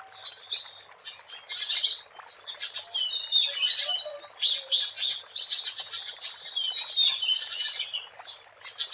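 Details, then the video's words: Wild Oriental magpie-robin (kacer) singing vigorously, a recording meant as a lure: varied, fast phrases of clear whistles and chirps, some rising and some falling, with short twittering runs and brief pauses. "SUARA ASLI BURUNG KACER GACOR BUAT PANCINGAN DAN PIKATAN MP3 DI ALAM LIAR"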